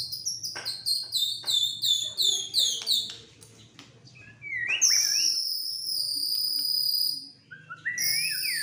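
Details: White-rumped shama, a fighter bird tested for mental strength, singing vigorously and agitated: quick series of high chirped notes about three per second, then loud long sustained high whistles and short rising slurred notes, with a low hum beneath.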